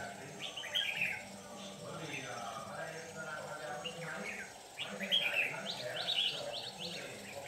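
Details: Red-whiskered bulbul with white cheeks singing a fierce "ché"-style fighting song during trapping; short warbled, slurred phrases in two bursts, near the start and again after five seconds, over steady low background hum.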